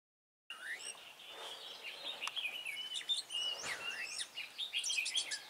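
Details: Red-whiskered bulbul used as a trapping decoy, singing combatively to provoke rivals, recorded 23 March 2018; quick bright warbled phrases with rising and falling whistles and sharp chips tumbling over one another, against steady outdoor background hiss.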